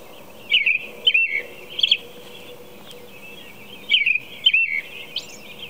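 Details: Robin song at four in the morning: caroling whistled phrases in bursts, two or three close together then a gap of about two seconds before the next group, one higher squeaky note near the end; quiet hum behind.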